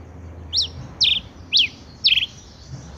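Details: Four bright, high chirps from a male Rufous-collared sparrow (tico-tico rei), each a quick rising-then-falling note ending in a slight buzz, spaced roughly half a second apart over faint low background noise.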